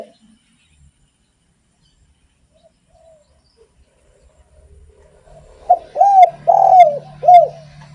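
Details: A spotted dove, singing to stimulate other doves, gives one phrase late on: two short coos, a long rolling coo and a closing coo, after several seconds of near silence and faint low hum.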